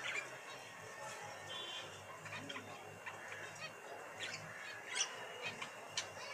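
A male budgerigar chatters excitedly in a fast, scratchy warble of clicks and high chirps.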